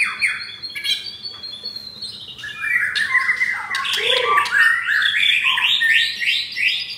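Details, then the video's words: White-rumped shama, captive-bred F4 with mottled breast, caged in Jakarta, Indonesia: scattered whistles and clicks, then a dense rush of rough-material song with rapid repeated rising notes building in loudness. "Murai Batu F4 Blorok Materi Kasar"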